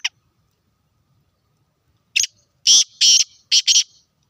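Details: Black francolin in Sindh, Pakistan: after a quiet pause, a loud harsh series of rasping notes, one short burst followed by four grating bursts in quick succession over about two seconds.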